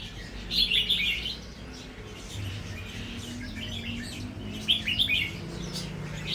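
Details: Red-whiskered bulbul of natural song style, beginning to deliver doubled phrases; two warbled bursts of quick bright notes, separated by a quieter stretch, against noticeable low rumbling hum.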